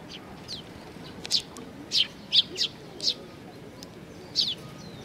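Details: Young sparrows gathering at food at Tenmangu shrine, Nakanoshima, on 25 May 2020; short high chirps come in scattered bursts, several close together around the middle, over a low murmur of background noise.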